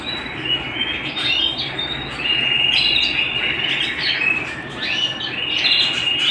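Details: A canary at home sings continuous rolling trills with quick upward-sweeping notes and sharp high accents, while a faint low hum runs underneath.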